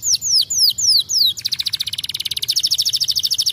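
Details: Canary singing a few downward-slurred whistles, then breaking into a long, fast, evenly pulsed trill that grows louder toward the end.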